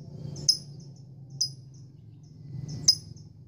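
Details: Female lovebird courting a male: three separate high, squeaky chirp groups, each with a sharp click and a few trailing notes, spaced about a second apart over a low hum.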